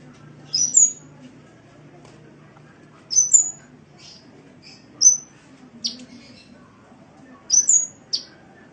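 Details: Sunbird kept as a cage bird, on a training recording: sharp, high whistled chirps with quick upward flicks, given in short bursts roughly every two to three seconds over a faint low hum.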